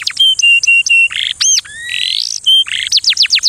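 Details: Canary mating song: short flat whistled notes repeated, a looping chirp, a rising buzzy slide, then quick falling sweeps in a rapid string.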